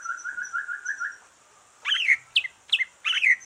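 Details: Greater green leafbird singing relaxed after moulting, used to stimulate other leafbirds; a soft note repeated about twice a second, then a pause and loud, sharp whistled and chirping phrases, with a faint high tone throughout.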